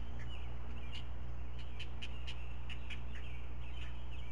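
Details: Great Blue Heron chicks, four in a nest watched by camera at Chesapeake, 16 May 2017, begging while a parent feeds them fish; uneven bursts of sharp clacking notes with short wavering squeals, constant low electrical hum behind.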